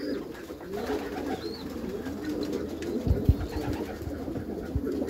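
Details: Soft, low cooing of Meulemans racing pigeons inside a backyard loft, a continuous bubbling murmur broken by a few dull thumps and knocks toward the end.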